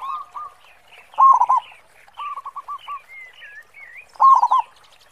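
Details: Zebra dove, a local bird singing strongly in the big 'khong' style: a loud stuttered coo burst, a softer series of clipped coos, then another loud burst, while small birds twitter and whistle faintly higher up.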